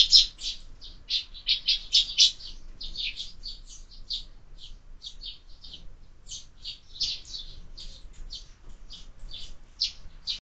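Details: Sparrows at a year-round window feeder burst into rapid chirping at first, then settle into spaced, bright single and double chirps, about one every half second, in a quiet setting.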